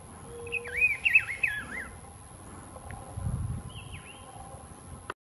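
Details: Rufous-browed peppershrike at Las Macanas Marsh gives a fast phrase of looping, warbled whistles rising and falling, then a single downslurred whistle about two seconds later, over low rumbling background noise.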